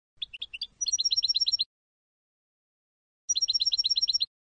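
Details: European goldfinch from Tunisia in Sfax-style song: two bursts of fast, bright, evenly repeated high notes, separated by a silent pause of about one and a half seconds.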